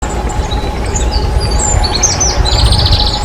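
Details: A male Eurasian wren sings high, scattered chirps that run into a fast, buzzy trill, over a steady low rumble of traffic and a faint hum.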